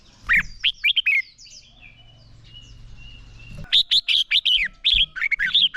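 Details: Red-whiskered bulbul competitive song; a few quick chirps, then a quiet gap with a low hum, followed by a rapid sequence of high, sharp whistled notes repeated in fast succession.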